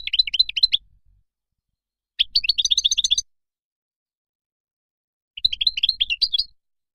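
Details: Moroccan European goldfinch delivering three short, lively phrases of tinkling, rapidly alternating chirps, each about a second long and separated by quiet pauses.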